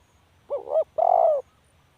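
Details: Spotted dove call with a short, bending first coo and a drawn-out smooth second coo that fades slightly at the end, soft and low-pitched against silence.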